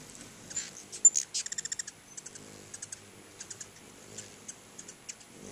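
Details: At a pair of feeders in front of a house, many hummingbirds call. A few sharp chips lead into a fast run of about eight rapid ticks, followed by sparse high chips.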